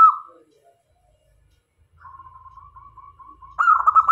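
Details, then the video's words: Decoy zebra dove, local type, gives a long run of soft, even, slightly wavering coos before a louder stuttering phrase breaks in at the end, in otherwise quiet surroundings. "Perkutut Lokal Gacor Cocok Untuk Jadi Pemikat - Perkutut Jantan dan Betina Pasti Mendekat"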